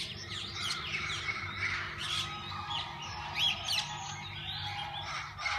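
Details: Various parakeets in a walk-in aviary at a parrot zoo, tame enough to be fed and held; overlapping sharp chirps and scratchy squawks from the flock over a low steady hum.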